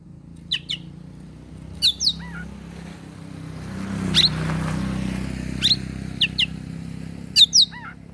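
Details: Oriental magpie-robin (kacer) singing in the morning, used to provoke rival birds into excitement. Sharp high chirps and short downslurred whistles come in paired bursts every second or so, over a steady low rumbling hum.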